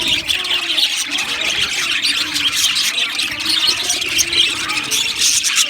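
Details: Budgerigar colony in an aviary: dense, continuous high chirping and squeaky chatter from many birds at once, with scratchy warbles overlapping throughout and no pauses.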